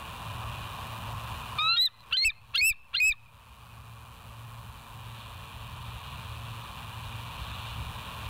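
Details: West End bald eagle calling on a nest camera, 07/09/2023, 06:24: four shrill, high, slightly rising piping notes about a third of a second apart, followed by steady camera hum.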